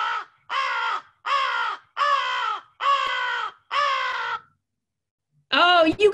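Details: American crow (Corvus brachyrhynchos), caw.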